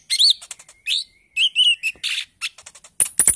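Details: Bali myna lure recording, used to coax birds into singing, in an early 'ijoan trotol' style: sharp high chirps and short rising whistles in quick bursts, ending in thin very high notes.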